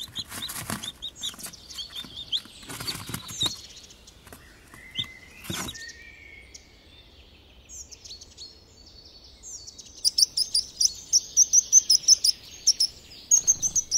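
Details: Mother hen and baby chicks: scattered clicks and a drawn whistle early on, then quiet before a run of sharp, high cheeping notes repeated about three times a second.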